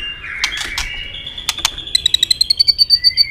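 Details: White-rumped shama fighting song aimed at a rival: soft whistled notes and clicks, then a rapid series of short high repeated notes rising slightly.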